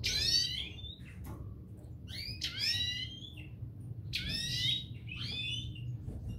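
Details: Parva goldfinch pair singing loud, clear phrases of stacked descending twitters, each burst under a second long with brief pauses between them, over a soft low background hum.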